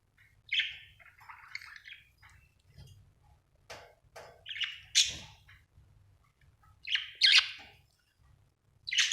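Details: Happy pet budgerigar chirping: short bright chirps and warbled notes in separate bursts, with sharp rising squeaks around the fifth second and again near seven seconds, quiet gaps between phrases and a faint low hum beneath.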